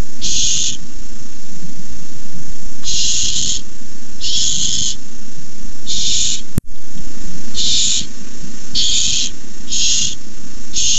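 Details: Barn owl chicks begging for a delivered rat at the nest, producing loud raspy hissing screeches in irregular bursts, a short break mid-way, and a steady low hum throughout.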